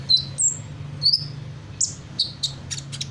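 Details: Hummingbird copying other birds' calls: a few scattered high, thin whistled notes, drawn out and gently falling, then soft clicks at the end, over a steady low hum.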